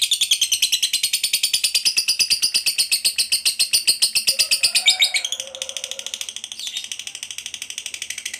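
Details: Lovebird in a long chattering call used to lure other lovebirds: rapid shrill chirps repeated without pause, gradually softening after midway, with a brief lower squeal beneath.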